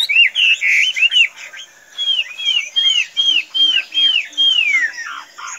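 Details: Tame Chinese hwamei, a bird kept loose without flying off, singing a series of clear whistled notes, each sliding down, repeated about twice a second, after a brief rich warble at the start.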